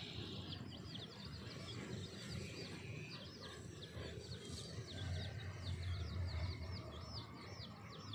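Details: A brown and black hen feeds her brood of chicks outdoors; the chicks peep constantly in high, thin chirps, several a second and overlapping, over a steady low outdoor rumble.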